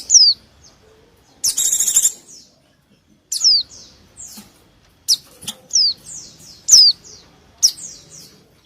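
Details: White-eye lure sound: high falling chips mixed with a loud buzzy trill and clusters of softer downslurred notes, calls coming irregularly.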